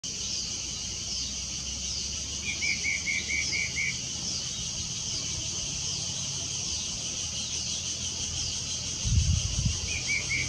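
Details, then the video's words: Spot-breasted parrotbill singing right opposite a homestay: a quick series of about six even, mid-pitched notes, with a brief repeat near the end, set against a steady high buzzing of insects and a low thump. "Spot breasted Parrotbill singing"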